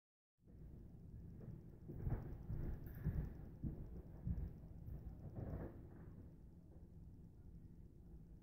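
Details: Low, rumbling noise fills the recording, with a few louder broadband thumps and knocks and no clear animal voice.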